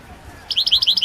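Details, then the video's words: Balkan European goldfinch (Carduelis carduelis balcanica) recorded for the 2022 online world singing championship, giving a quick series of about eight high, bright, slurred notes after a half-second of quiet. "Pesma štiglića 006/22 World Championship in Goldfinch Song"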